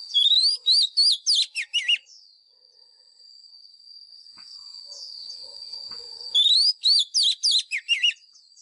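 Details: Wild Oriental magpie-robin used as a lure bird, singing its fighting song for training caged birds: two quick bursts of sweet whistled slurs and trills, separated by a pause filled with a constant high ringing tone.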